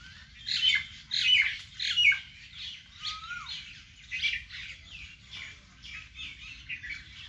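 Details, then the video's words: Birds in a vegetable garden giving clustered high chirps in regular bursts about every second, with one lower, smooth rising-then-falling whistle at three seconds. "natural bird sound"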